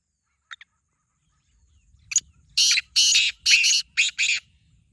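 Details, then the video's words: Kept black francolin calling: two faint clicks, then a rasping, buzzy phrase of about six harsh bursts in quick succession, loud and grating, with near-silent background. "Black Teetar Voice/Kala Teetar ki awaz"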